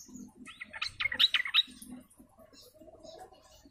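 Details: Sooty-headed bulbul flock sound used as a lure, local style called ombyokan: a short burst of rapid, bright chirping notes in the middle, over faint low rumbling and scattered quieter notes.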